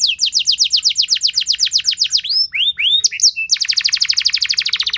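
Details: Canary song played as a lure to prompt other canaries to sing: long, loud runs of fast descending whistled notes, a few upswept slurs, then a rapid buzzy trill.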